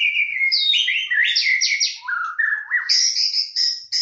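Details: White-rumped shama singing a rich, continuous run of clear whistled phrases, sliding up and down and jumping between high and lower pitches, with no other sounds.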